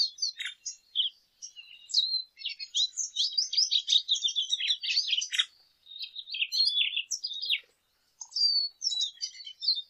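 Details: Lesser goldfinch delivering long bursts of fast, varied twittering, high chirps and buzzy slurs strung together, broken by a couple of brief pauses.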